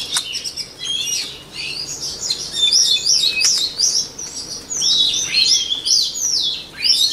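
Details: Singing white-rumped shama, recorded for voice training, repeating bursts of fluid whistles, churrs and rapid flourishes, with short gaps between each phrase.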